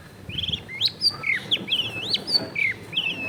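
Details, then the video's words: Long-tailed shrike, a kept bird recorded at home in a crowded neighbourhood, in full lively song packed with varied phrases: clear slurred whistles, rising and falling notes and short sweeps in quick succession, with faint low background noise. "CENDET GACOR FULL ISIAN MEWAH COCOK BUAT MASTERAN CENDET MACET BUNYI AUTO MENJERIT"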